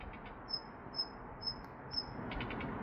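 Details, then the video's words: Daurian redstart calling: four thin, high, slightly falling whistles spaced about half a second apart, then a few soft dry ticks, over a steady low rumble of background noise. "딱새 울음소리 The sound of a red-breasted bird crying"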